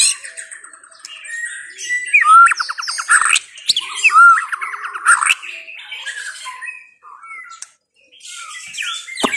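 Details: White-rumped shama of the Chao Singto line giving rapid rattling trills and whistled notes in bursts, with scratchy chatter in between and a brief pause near the end.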